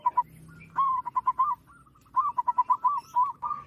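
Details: Loud-voiced wild local zebra dove, a lure call for trapping, giving quick trilled coo phrases in two main runs over a low hum and light background noise.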